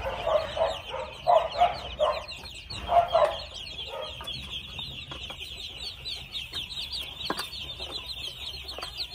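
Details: Two-month-old red junglefowl clucking in a series of short, mid-pitched, throaty notes grouped in bursts over the first three seconds, then quiet clicks, with a steady high buzzing background throughout.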